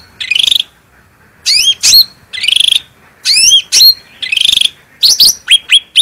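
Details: Bulbul (cucak rante) singing with a clear, powerful voice, captured for a master recording to teach other birds. Buzzy trills alternate with sweeping upslurred whistles, ending in quick sharp chips.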